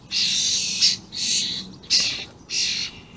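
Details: Recorded 28 May 2016, juvenile and adult common starlings give four long, buzzy, hoarse screeches at a fairly even pace, each ending abruptly.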